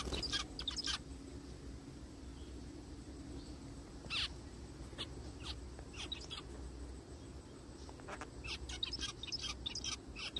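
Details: Zebra finches in a forest: scattered short, nasal beeping calls, loudest early and near four seconds, then a quicker run of quieter chirps toward the end, all over constant low rumbling noise.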